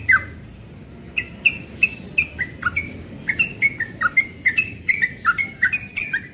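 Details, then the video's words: Young yellow-vented bulbul, morning: a few spaced whistles build into a rapid ropel run of clear, slurred notes, each rising or falling. "Trucukan muda ropel pagi"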